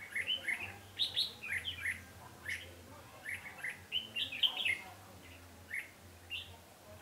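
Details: Red-whiskered bulbul during a trapping session on 20 November 2015: lively bursts of chirpy, warbling notes in quick clusters, repeated many times over several seconds above a faint low rumble.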